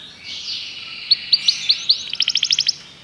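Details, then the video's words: Common canary song, somewhat soft against a low background hiss: a sustained high note followed by evenly spaced bright chips that speed into a quick rhythmic trill. "Canários cantam"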